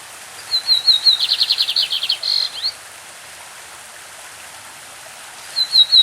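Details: Brazilian lined seedeater, classic-style song, with a brook in the background: sharp high whistles speed into a buzzy, stuttering trill of falling notes, ending with an upward flick. A new song begins near the end.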